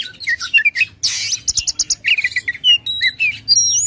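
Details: Aggressive white-rumped shama song with tail spread, a lure to get a lazy bird singing: quick whistled notes, a burst of harsh buzzy chatter, then rapid clipped pulses and bright sliding whistles.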